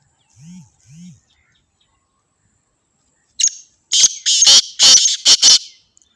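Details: Black francolin, Sindh, Pakistan, on the 29th of the third month. Two soft low thumps come first. After a pause there is a short note, then a rapid series of five or six loud, scratchy, rasping notes lasting about two seconds.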